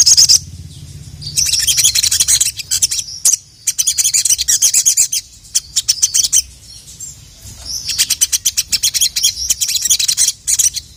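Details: A sogon, a sunbird valued for constant full-repertoire singing, sounds its male-calling song as repeated bursts of sharp, very high ticking notes and fast shimmering trills separated by short gaps.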